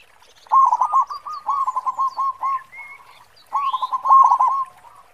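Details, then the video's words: Active local zebra dove with a large 'khong' voice delivers two loud phrases of fast, throaty cooing notes separated by a short gap; a few soft higher whistles from other birds in between. "Perkutut Lokal Gacor Suara Khong besar"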